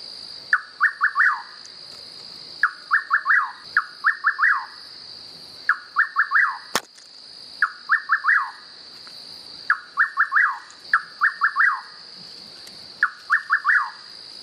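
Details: Rufous Nightjar in natural surroundings repeating its song about every one to two seconds: a short note then three quick swooping whistles, roughly eight phrases, set against a persistent high insect drone and one sharp click.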